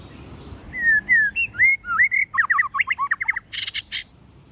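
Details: White-rumped shama, a female, singing in forest voice style: clear looping whistles, then a quick run of short sharp notes, ending in two harsh noisy bursts.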